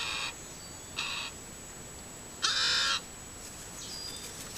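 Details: Crow heard begging on a camera trap: two short, softer rasping notes, then a louder, longer harsh nasal call, with a thin constant whine in the background.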